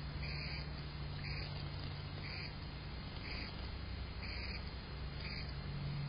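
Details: Yellow-rumped Warbler on November 24, 2023, giving short, sharp chek notes about once a second over a steady low rumble.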